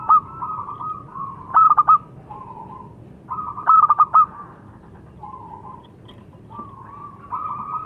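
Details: Zebra dove of the local perkutut kind: bursts of three or four sharp clipped coos separated by drawn-out hums and softer low coos. Three phrases are heard over clean, quiet surroundings.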